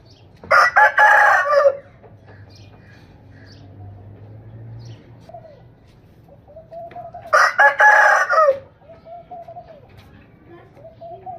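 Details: Rooster giving two full raucous crows about six seconds apart, each with choppy opening syllables and a sustained harsh finish, with soft low clucking murmurs in between.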